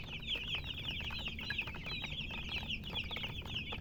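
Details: Baby chickens chirping in a thick continuous chorus of short high peeps, many birds calling at once over a low rumble.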